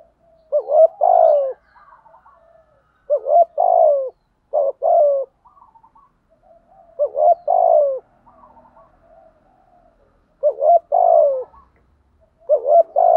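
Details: Male and female spotted doves giving thúc gù coos for training decoy birds: deep, throaty grouped coos, each phrase rising and dropping, separated by gaps of about two seconds, with faint soft purring notes in between.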